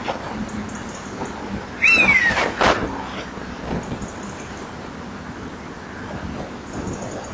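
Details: Common buzzard heard near a nest-box camera microphone at 19:38 on 28 September 2011, giving one downward-slurred mewing cry early on, followed by a couple of sharp knocks and quiet hiss.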